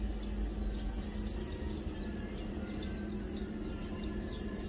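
Lowland White-eye giving thin, high, twittering chirps in quick irregular bursts, several each second, over a steady low hum and background rumble.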